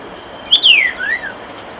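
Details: Falling slurred whistle from a common starling beside a nest box, ending in a softer rising-and-falling tail note; light background hiss throughout.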